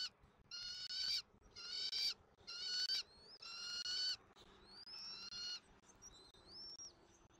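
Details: Bald eagle eaglet fed at dinner time in a Southwest Florida nest, recorded by a nest camera on 13 January 2024: a run of piercing harmonic squeals roughly once per second, ending in thinner, upslurred whistles.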